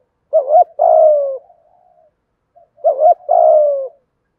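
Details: Spotted dove thổ-style cooing, with male and female birds, meant to excite doves into calling. Two phrases about two and a half seconds apart, each a wavering note then a long falling coo, trailed by faint murmurs.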